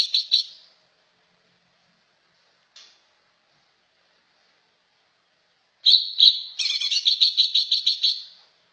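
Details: Cucak ijo giving a short chattering burst, then near silence for several seconds, then a loud fast trilling series of rapid repeated notes lasting about two seconds.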